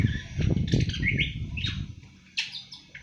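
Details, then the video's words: Seven-month-old awar-awar just beginning to twitter its first song: short scratchy chirps and brief rising whistled notes, irregular and halting, over a low rumbling background. "Burung awar awar 7 bulan mulai ngriwik"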